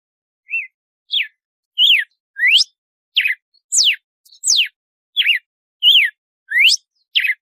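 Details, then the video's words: Red-cowled cardinal singing in the 'de açoite' style: about twelve clear whistled notes over seven seconds, alternating steep downward slurs, quick upward sweeps and small arched notes, each separated by short silences, with no other sounds. "Canto do Galo-de-Campina de Açoite"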